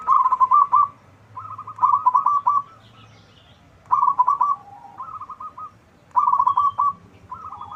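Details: Loud local zebra dove singing as a lure to draw answers from other doves: bubbling, stuttering coo phrases of quick notes, each under a second long, come in pairs about every two seconds.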